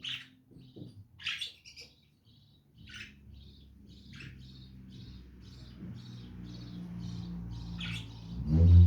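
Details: Lovebirds chattering in a run of quick, high chirps and squeaky notes, nearly continuous, with a low hum building beneath and a thump at the end.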